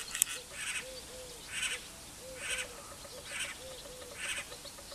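Great spotted cuckoo giving harsh, rasping bursts, roughly one a second, with soft low piping notes in between.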